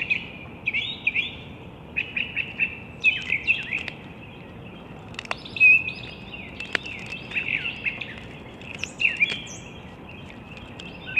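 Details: Bald eagles of a wild mated pair at the National Arboretum nest in Washington D.C., morning of 15 April 2022, via nest camera; near-continuous high squeaky chirps and chittering runs, with a few sharp clicks and knocks.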